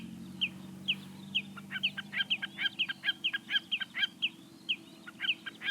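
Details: Common snipe (Gallinago gallinago) giving sharp, clipped notes, about two a second, quickening into a rhythmic chippering run, over a faint low hum.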